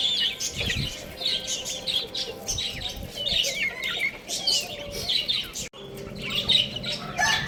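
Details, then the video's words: Several baby chicks play and eat, trading short, high, curling peeps in loose bursts, with brief pauses and a sudden dropout before the chirping resumes. "Cute Little Chicks Chirping Sounds | Baby Chicken Playing and Eating"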